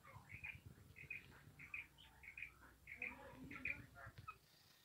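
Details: Female quail giving a steady run of high, sharp chirps, roughly one every two-thirds of a second, over a low murmuring indoor background.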